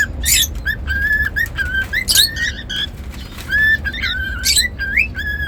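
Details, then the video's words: Cockatiel kept as a pet bird, singing a whistled phrase of steady mid-pitched notes with short upward flicks, mixed with brief high scratchy chirps at intervals. "Cockatiel whistling sounds"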